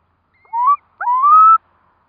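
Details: Curlew beside hatching chicks, four in the brood, giving two clear whistled notes that slide steadily upward, the second longer and louder, over a faint higher thin whistle.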